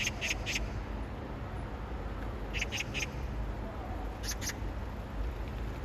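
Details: Oriental magpie calling for a mate, pausing to splash water over its beak and body; harsh, clipped 'kak' notes come in quick bursts of two or three, separated by gaps, over a steady low rumbling background.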